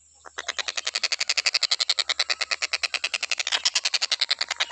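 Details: After a short quiet start, a stork-billed kingfisher launches into a fast, steady train of rasping notes, several per second, continuing to the end; recording meant for training other birds to sing.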